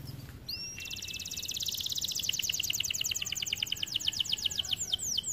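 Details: Singing white canary, heard a little farther off over faint background noise: one rising whistle, then a long, rapid, even trill of high repeated notes that slows toward the end.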